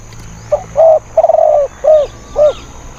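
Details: Decoy spotted dove, a fierce wild bird with a small, thin voice, used to lure other wild birds: a brisk cooing phrase of five notes, a soft lead-in, two drawn coos, then two shorter rounded ones.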